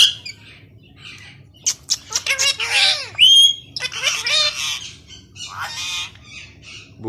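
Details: Two green pet parrots, a pair, chatter and talk to each other in Urdu. Harsh squawks, bending harmonic notes and a clear whistled tone in a rapid, irregular run, with quieter gaps between bursts.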